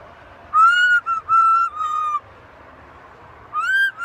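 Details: Macaw parrot whistling a rising then level clear note followed by three shorter flat whistles, silence for over a second, then another rising, arching whistle.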